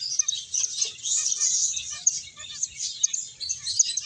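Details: Busy finches feeding and playing, producing a thick stream of shrill, overlapping chirps with a few sharper accented notes.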